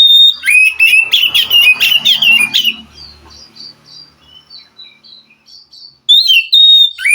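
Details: Wild forest white-rumped shama song meant to trigger a reluctant captive singer: loud rapid chattering whistled phrases, then softer distant twittering with low murmurs, before a bright whistled phrase resumes.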